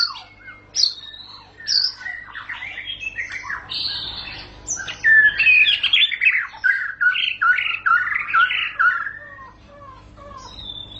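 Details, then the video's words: White-rumped shama singing a lively, varied string of whistled phrases, some sweeping, some sharp, with a run of quick descending notes near the end. "Murai batu bakal langsung ngentrok"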